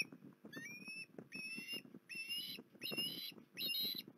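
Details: Osprey at Port Lincoln on 19 January 2021 giving a series of five clear whistled upslurred notes, each rising sharply with bright overtones, spaced under a second apart over a steady low rumbling, pattering background.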